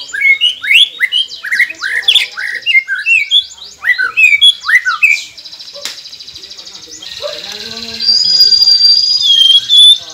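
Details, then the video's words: Shama song used to prompt silent caged birds to sing: dense bursts of rapid rising chirps in quick clusters, a short pause, then long sustained high whistles. "Murai Pendiam Cepet Buka Suara dengan masteran ini | shama bird"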